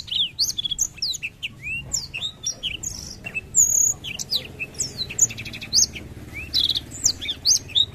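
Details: Black-throated canary singing continuously in 'gacor ngerol' style: a dense stream of high, quick chirps, upward and downward slurs and short buzzy trills, over faint low background hum.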